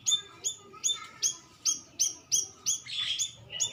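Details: Sooty-headed bulbul call used as a lure to make birds answer: bright two-part chirps repeated about every 0.4 seconds, with a brief burst of mixed chattering near the end.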